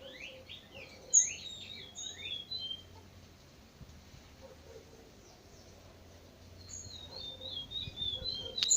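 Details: Chestnut-bellied seed finch at dawn, trinca bico de veludo song: a rapid series of short, falling whistled notes, then a pause, and later a run of thin, high chirps, with one loud sharp click.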